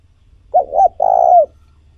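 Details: A single spotted dove phrase used for stimulating decoy doves: a brief double coo, then a longer, steady, rolling coo that drops slightly at its end, over a faint low rumble.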